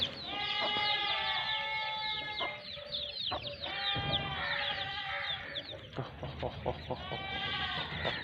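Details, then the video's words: Sindhi Aseel chicken family in Pakistan, a hen with two-month-old chicks. Rapid downward-curving peeps pour out in overlapping bursts, mixed with soft clucking and a few steadier whistled notes. "ASEEL HEN AND HER TWO MONTHS OLD CHICKS"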